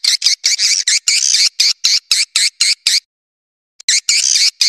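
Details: Swiftlet calling sound meant to draw swiftlets in: rapid series of high buzzy chirps about four per second, a pause of nearly a second, then renewed chattering.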